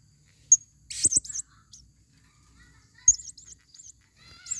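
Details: Female blue-crowned hanging parrot used to lure birds in the forest gives sparse, sharp, very high squeaks and short wavering twitters, spaced by quiet gaps, along with a couple of faint thuds.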